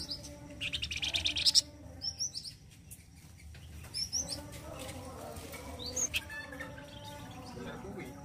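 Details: Flamboyan bird, singing loudly in the rough 'gacor kasar' style used as a master song for training other birds: a short burst of rapid high chattering notes, then scattered high chirps over a steady low hum.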